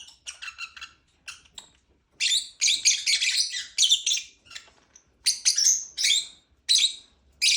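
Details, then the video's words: Lovebird producing fast, high, raspy chirps: a rapid stutter at the start, then loud chattering bursts separated by short pauses. "Lovebird chirping sound"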